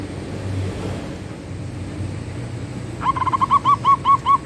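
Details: Manggung song of a zebra dove, known locally as perkutut: after quiet background rumble, a series of soft, evenly repeated cooing notes begins and continues steadily.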